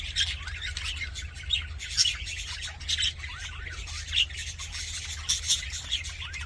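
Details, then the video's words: Happy budgerigars giving sharp, scratchy chirps and clicks in separate bursts about a second apart, with softer warbling between and a steady low hum behind. "HAPPY BUDGIE SOUNDS FOR LONELY BUDGIES"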